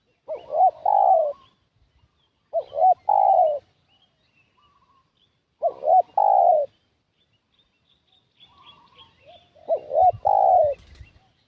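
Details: Spotted dove cooing used as a decoy to lure wild doves: four phrases of paired short coos leading into a longer descending coo, spaced about three seconds apart, with faint high chirps from other birds.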